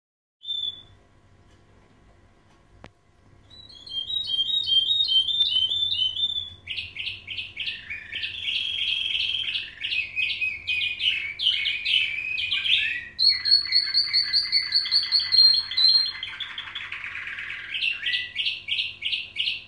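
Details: Canaries, described as nightingale-style (bülbül-taught) singers, recorded 20 March 2017, sing a nightingale-style song of rapid trills, rolls and bright whistled phrases.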